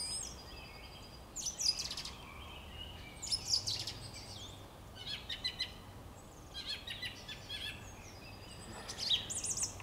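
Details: Song thrush on 26 March 2022 singing distinct bursts of high, rapid, scratchy and whistled notes, each phrase roughly two seconds apart, against a constant low background rumble.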